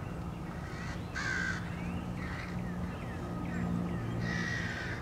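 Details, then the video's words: Crows harassing a male bald eagle as it returns to its nest on 30 March 2016; a few harsh, buzzy caws come in short bursts over a steady low electrical hum. "Crows attack"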